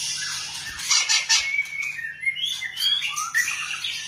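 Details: Scratchy high notes open this white-rumped shama song, followed by a series of clear rising and falling whistled slurs, with a soft low hum present.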